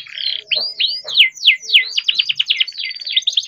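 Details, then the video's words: Captive young canary used as a singing lure for learning canaries, delivering a steady string of rapid downward-sweeping whistled notes over faint low background noise. "KENARI GACOR DOR COCOK BUAT PANCINGAN KENARI BIAR GACOR"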